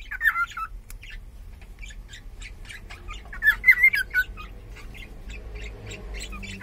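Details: Pet cockatiel of unknown sex chattering indoors: soft, quick clicking notes that build into a brief burst of louder warbled, wavering whistles midway, then fade back to faint ticking over a low hum.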